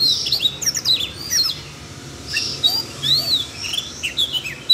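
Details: Siberian rubythroat prompted to sing by training playback aimed at a young bird; bursts of bright high twittering and downslurred whistles, a quieter pause midway, then more warbled phrases.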